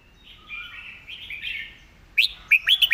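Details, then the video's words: Master song of a red-whiskered bulbul, said to be clearly phrased: soft background warbling, then after two seconds a loud run of three to four sharp, bright whistled notes. "สำนวนดี ร้องชัดคำ เพลงแม่บท#เสียงนกกรงหัวจุก"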